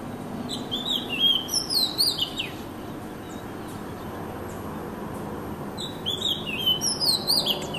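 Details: Magpie-robin song, two bursts of varied whistled notes sliding up and down with sharp high accents, the second coming after a silent gap of about three seconds, set against faint steady background noise.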